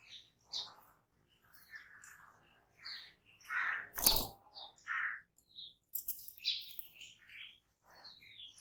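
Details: Harsh, nasal calls of jungle babbler repeat at uneven intervals, mixed with high thin chirps and a sharp click or knock in the middle.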